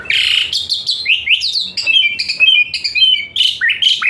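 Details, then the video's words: Asian pied starling song used to encourage a lazy-singing starling: a loud harsh opening burst followed by rapid, varied rising whistles and chattering phrases. "TEMBAKAN PANAS Khas Jalak Suren UNTUK TERAPI Jalak Suren Malas Bunyi"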